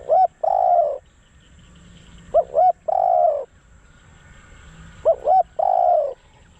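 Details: Spotted dove used as a decoy for wild doves. It gives three even phrases, about every two and a half seconds. Each is a pair of quick hooting coos followed by a long, mellow, gently falling croo.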